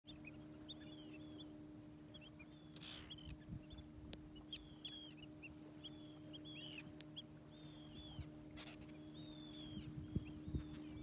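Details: Flock of 24 common terns on Reveln, Stornäset, Alnö, 18 July 2023, giving many short, grating, downslurred calls, overlapping at a quick pace, over a steady low engine-like drone.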